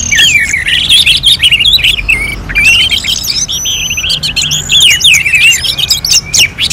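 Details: Orange-headed thrush singing in a bird-contest simulation style, with dense, varied whistled phrases: rapid rising and falling notes and trills in quick succession, high and bright, over a faint low hum.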